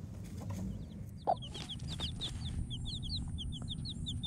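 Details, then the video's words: Chicks about a week old, peeping in a series of short, high, downslurred chirps repeated quickly, over a steady low rumble of background noise with a few soft knocks. "baby chickens over a week"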